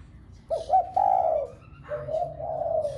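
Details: Spotted dove coo used to prompt other doves to coo: two short notes running into a long falling coo, followed by a lower, drawn-out soft coo.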